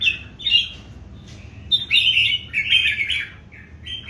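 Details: Old wild-caught Red-whiskered Bulbuls, three birds dueling in song, deliver loud clear whistled phrases with bubbly trills, a brief gap near the middle before a strong burst.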